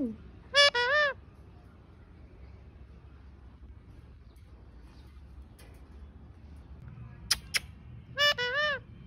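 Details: Talking parrot producing two short bursts of warbling, harmonic, voice-like sounds, one near the start and one near the end, separated by quiet stretches with a few sharp clicks.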